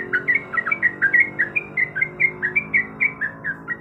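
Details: Female yellow-vented bulbul in breeding condition calling the male: a steady run of short, bubbly, slightly slurred notes, about four each second, over a low steady hum.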